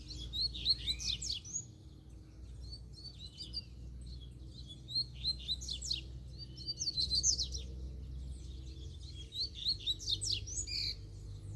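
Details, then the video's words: Wild, free-living double-collared seedeater singing strongly: three bursts of fast, high twittering phrases with sharp down-slurred notes and trills, separated by short pauses over a low background hum. "COLEIRO SOLTO FORTE CHEGOU PICANDO CANTO!!!"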